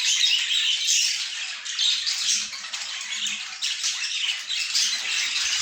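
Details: Indoor pet budgerigars chatter in a crowded chorus of squawks and warbling chirps, swelling and dipping slightly, with faint low hums in the background.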